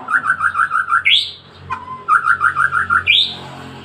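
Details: Captive-bred white-rumped shama singing loudly: a run of six rapid, even whistled notes, then a rising upslurred phrase, a brief pause, and the same sequence repeated.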